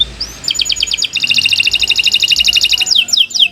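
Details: Kenari canary master song; a rapid, even high-pitched rolled trill of doubled notes, ending in a few falling whistled sweeps.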